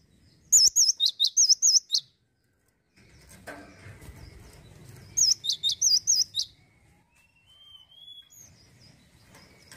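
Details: Two bursts of rapid, bright, looping whistles from an actively singing male cinereous tit, each about seven notes long, with a thin distant whistle and low rumbling noise between them.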